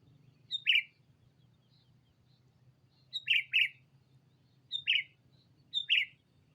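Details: Lure recording of a sooty-headed bulbul calling a rival: a series of sharp chirped notes, some single and some in quick pairs, repeated every second or two, over a faint low hum.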